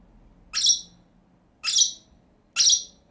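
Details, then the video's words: Three loud, shrill single shrieks from a pair of pet lovebirds, each a brief piercing note about a second apart, with silence between. "CİCİKUŞ SESİ----Cennet Papağanı"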